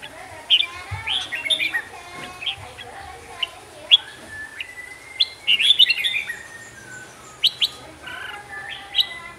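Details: A Hue-type red-whiskered bulbul sings prolifically: bright, liquid whistled phrases in short bursts every second or so, with other faint chirps and a soft hiss behind.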